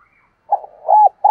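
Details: Cooing of a spotted dove meant to rouse decoy doves: a soft murmured note leads into a stronger, even coo, then another begins, all low and mellow in a quiet setting.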